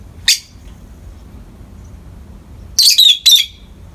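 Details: Two pet peach-faced lovebirds in the morning light: one short, shrill, harsh squawk, then a pause of over two seconds, then three rapid piercing chirps with a falling whistled tail, over a faint low hum.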